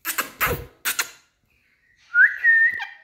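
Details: Friendly Indian parrots at play: a few harsh, broadband squawks in quick succession, a pause, then a clear whistled note sliding upward and holding steady before a short click.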